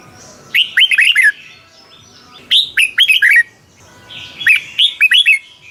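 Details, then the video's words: Caged red-whiskered bulbul from Thailand singing in the bird-keepers' 'double' (beun) style, a recording meant to be played to stir up other caged birds: three bright whistled phrases of five or six quick down-slurred notes, about two seconds apart. "เสียงนกกรงหัวจุก สำหรับต่อ หรือ เปิดให้นกคึก เสียงเพราะๆ chao mao"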